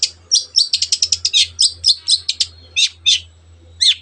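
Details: Long-tailed shrike singing the excited 'teot teot' song that prompts other birds to sing: a rapid, stuttering series of sharp, high, down-slurred notes, about four per second, slowing toward the end, over a steady low hum.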